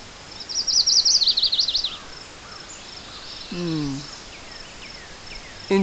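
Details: A Chestnut-sided Warbler, male, seen through binoculars, sings a quick run of thin, very high, slurred notes lasting about a second and a half, followed by a brief low human voice and faint bird notes.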